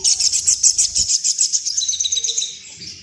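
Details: Crimson sunbird in breeding condition, with sound said to trigger wing-quivering display. Continuous stream of very high, thin chirps, about three or four a second, fading slightly toward the end.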